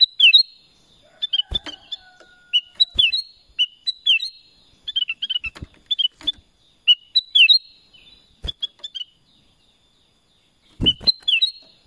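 Black-crested bulbul giving short, clear whistled phrases with quick up-and-down notes, repeated every second or so in a quiet setting.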